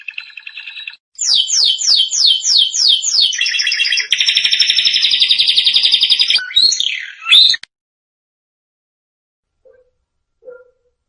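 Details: Canary singing for training young canaries: a short trill, a series of quick descending swept notes repeated about twice a second, a dense buzzy roll, then a few sharp slurred notes and silence.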